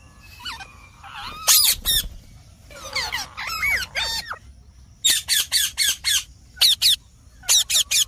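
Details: Harsh squawking from a green parrot: mixed whistled slurs and grating notes early, then a steady string of sharp screeches, about two per second, in short bursts.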